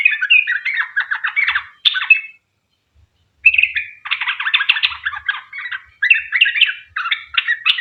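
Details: Lively sooty-headed bulbul song in the long 'ropel' style, used to coax other bulbuls to answer. Bursts of fast chattering notes and squeaky whistles, with a clear gap of about a second midway and faint low thumps.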